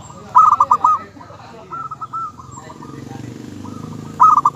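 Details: Local zebra dove song, used to make other doves answer: pulsed cooing trills open and close the recording, with a softer stretch and low background murmur in between.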